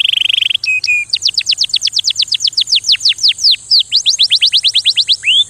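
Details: Singing canary: a brief buzzy trill, two flat notes, then a long even series of sharply down-slurred whistled notes, pausing once before resuming, over a steady faint high-pitched hiss.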